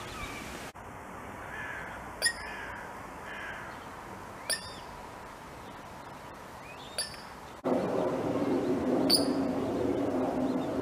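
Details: Eurasian coot calling to its chick while the family swims in a canal: four short, sharp, explosive calls about every two seconds, a thin steady whine early on and a rush of wind or water toward the end.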